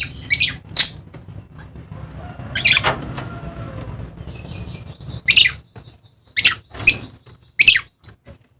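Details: Dusky lory, native only to Papua in eastern Indonesia, repeatedly gives shrill, rasping shrieks in quick pairs and singles, with short quiet gaps between bursts.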